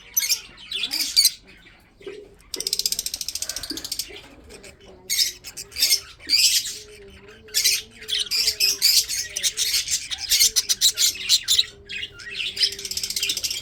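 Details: Breeding pet budgerigars, some eating food, chatter in dense bursts of harsh, buzzy chirps and squawks, pausing briefly between volleys, with a faint low steady tone underneath.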